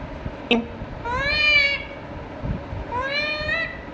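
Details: Indian ringneck parakeet talking to itself as a pet: a sharp click, then two long nasal upslurred phrases a second and a half apart, over faint household hum.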